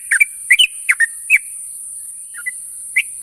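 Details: Morning calls of a sooty-headed bulbul seeking companions: a few quick chirped notes in the first second and a half, then scattered single chirps after a pause, over a steady high hiss.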